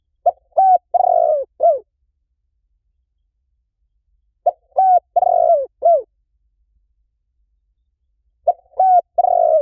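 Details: Spotted dove cooing as a lure: a phrase of several mellow coos, the longest one falling at the end, repeated three times about every four seconds with silence between.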